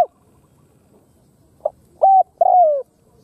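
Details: Close Khmer spotted dove delivering one phrase after a quiet gap: a faint brief note, a steady hollow coo, then a longer descending coo.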